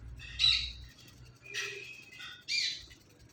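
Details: Pet Indian ringneck parakeet talking, repeating "Mithu Mithu". Three separate raspy, voice-like bursts sound about one second apart, the last one rising sharply. A low hum runs in the background.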